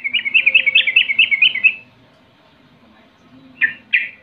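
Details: Taunting 'rol' song of a sooty-headed bulbul, aimed at drawing rival replies: a rapid run of warbled, rising-and-falling notes for almost two seconds, a quiet pause, then two sharp separate notes.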